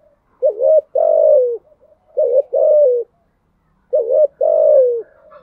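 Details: Three low cooing phrases from a Spotted dove in the THÚC GÙ song style, each a quick upward-bent note followed by a sustained downward-gliding coo, evenly spaced about every two seconds.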